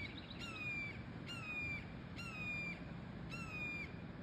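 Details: Baby red-tailed hawks at Sugar Beach, Leo, Indiana, give four thin, drawn-out, slightly falling screams, about one a second, over a soft rural background hum.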